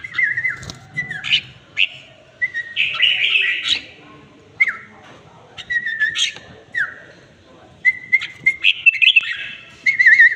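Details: Tame red-whiskered bulbul singing lively whistled phrases, dropping slurred notes mixed with higher scratchy chirps, delivered in bursts separated by brief gaps, with a few clicks in the background.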